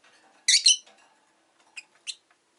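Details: Five caged Rosy-faced lovebirds near a window in the afternoon: a loud doubled shrill chirp, then two shorter, thinner chirps after a pause.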